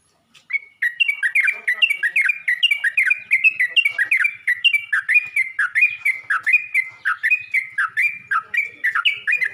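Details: Yellow-vented bulbul calling to other bulbuls: a fast, continuous stream of bubbly, chirping notes, each note quickly rising or falling, running steadily for about nine seconds after a short quiet start.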